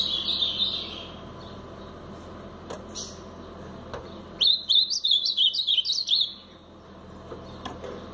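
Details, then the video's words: Blue-black grosbeak, brown plumage, Paraná song. A faint warble at the start gives way to scattered clicks, then a loud two-second burst of quick, choppy, up-and-down whistled notes. "Azulão Paraná pardo"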